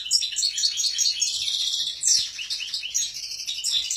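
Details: European goldfinch singing strongly, a dense, continuous stream of bright twittering and tinkling notes high in pitch, with quick trills and short buzzy phrases and no other sounds.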